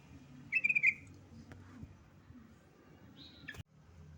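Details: A yellow-vented bulbul calls a rival with a bright, bubbling, trilled note, then a short higher slurred note a few seconds later, ending in a sharp click amid quiet background.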